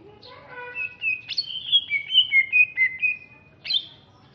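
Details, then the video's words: Greater green leafbird from Alas Purwo, Banyuwangi, East Java, a large, fierce-looking bird, sings: a low rising note with layered tones, then a run of clear whistled slurs stepping gently downward, ending with a sharp high chirp. "Cucak Ijo Alas Purwo Banyuwangi"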